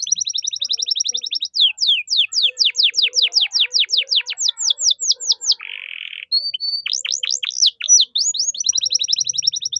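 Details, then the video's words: Canary singing 'gacor' with 'cengkok mewah' phrasing, used as tutor song for young birds; rapid stuttering trill, then a long even series of steep falling whistles, a short buzzy burst, and the fast trill returning. "MASTERAN KENARI GACOR || Cengkok Mewah Mudah Masuk untuk Burung Bahan"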